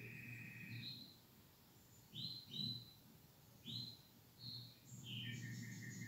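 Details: Pair of canaries giving scattered short upslurred chirps and brief whistled notes, separated by pauses, ending in a faster twittering burst; a person's low voice and background hum are also heard.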